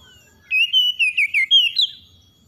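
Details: Oriental magpie-robin singing in the morning, played to help stressed magpie-robins recover: one clear whistled phrase of about six quick notes sliding between high pitches, some notes warbled and dipping, ending on a higher rising note.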